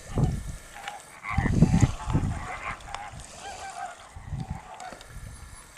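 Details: Greater flamingos give gruff, goose-like honks in uneven bursts of three or four a second, with a low background rumble.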